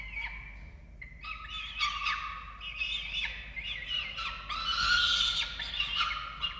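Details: At a falcon nest in Orange, Australia, chick feeding on 13 November 2022: short chittering notes give way to a rush of dense, overlapping squeals and wails that grow louder.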